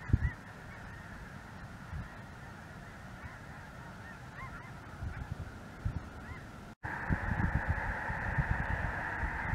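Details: Mixed goose flock of Snow Geese with Greater White-fronted Geese and possibly Ross's Geese, filling the sky in southern Indiana on a cold January 2023 afternoon; distant scattered honks swell into a loud, dense roar of calling geese.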